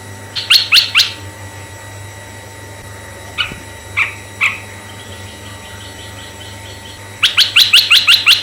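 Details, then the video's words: Red-eyed bulbul, vigorous singer used to lure male and female bulbuls: two sharp chips, three spaced notes, a soft faint trill, then a brisk burst of six ringing notes; faint electrical hum throughout. "suara merbah mata merah yang BIKIN tegang burung merbah"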